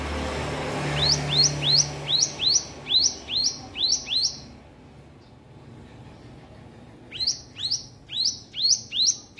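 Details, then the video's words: Hill prinia practising song: a series of sharp, rising buzzy chirps repeated roughly twice a second, a pause of a few seconds, then another run of similar chirps, over faint background noise. "ciblek gunung belajar bunyi"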